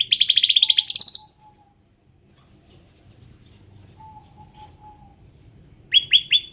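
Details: {'caption': 'Ruby-throated bulbul, an endemic bird, opening with a fast buzzy trill of rapid repeated notes that rises at the end. After a long quiet stretch with a faint thin whistle, it gives three quick falling chirps.'}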